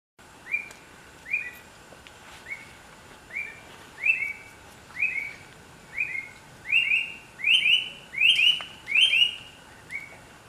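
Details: Bright-rumped attila in Costa Rica; a series of about a dozen clear, rising-then-level whistled notes, growing louder and slightly faster through the sequence, the final note softer and lower, over a faint steady background hiss.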